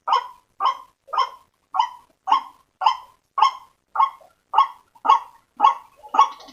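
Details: White-breasted waterhen call used as a lure to draw waterhens together: a steady run of about twelve harsh, barking croaks, evenly spaced roughly every half second, clear and loud against silence.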